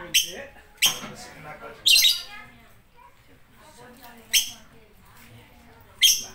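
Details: Piercing, high lovebird squawks, five loud bursts spaced about a second or more apart, each harsh and brief, with softer chatter and quiet voices between them.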